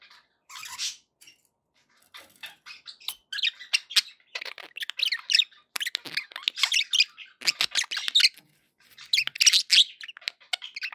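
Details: Budgerigar chatter for keeping pet parakeets company: bursts of raspy squawks and fast warbling chirps, starting sparse then becoming steady and busy, with short gaps.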